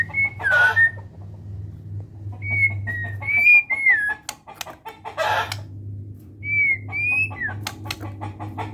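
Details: Caged white-rumped shama of the Medan type singing: clear whistled phrases, some slurred and dropping, spaced by pauses, with sharp clicks and a steady low electrical hum.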